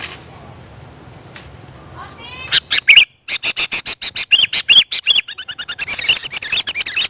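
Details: Sooty-headed bulbul call for luring wild birds. Faint hiss gives way to a rapid, irregular stream of loud chirps and slurred whistles that continues to the end.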